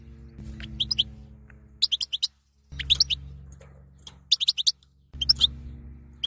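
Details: A female European goldfinch gives calls meant to arouse a male to mate, short bright high notes in bursts of three to six separated by brief gaps, over a low background hum.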